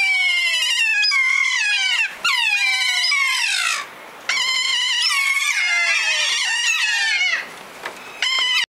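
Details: Cheeky keas calling at dawn around Mintaro Hut, Milford Track, New Zealand, while landing and sliding on the corrugated plastic roof; strident, bending wails and squeals, several voices overlapping in rapid bursts broken by short pauses.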